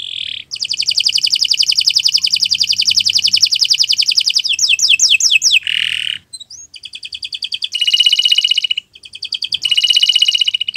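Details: Singing canary, recorded as a master for tutoring other birds; long rapid rattling trill, a burst of falling sweeps, then short high trills and pure whistled notes broken by brief gaps.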